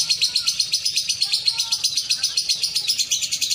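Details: Lovebird in a caged singing competition in Betung Banyuasin, Palembang, taking first place, pours out a dense, shrill, rapidly pulsing trill, about four pulses a second, with faint human voices beneath.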